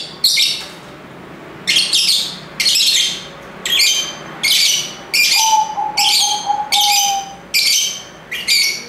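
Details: Lovebirds calling in harsh, buzzy, high bursts that repeat roughly every second. A steady, soft, mid-pitched whistled tone runs underneath for a couple of seconds midway.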